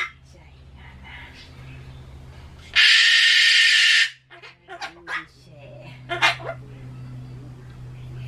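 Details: A Ducorps's cockatoo, a talking pet that screams at loud noises like town loudspeakers and election cars, breaks into one harsh, grating scream lasting over a second, then softer chattering, talk-like sounds, over a low background hum.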